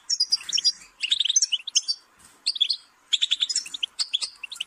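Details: Goldfinch song in short, fast twittering phrases, tinkling high notes and buzzy trills broken by clear gaps of about half a second, with a quiet background.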